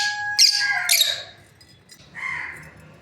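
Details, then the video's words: Lovebirds, a breeding pair, give two quick shrill chirp bursts over a steady humming tone that fades, then a softer, buzzy chirp after a short pause. "Lovebirds parrot chirping sounds | breeding pair"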